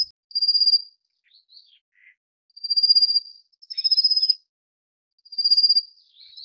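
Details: A Rufous-faced warbler feeding its chicks gives very high, thin, rapid buzzy trills about every two seconds, with soft chips in between; nothing else is heard.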